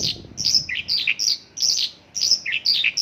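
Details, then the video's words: Mongolian lark singing isian lokalan, its song of local bird phrases given as short clusters of high chirps and falling slurred notes, repeated roughly twice a second. "Mongolian lark isian lokalan"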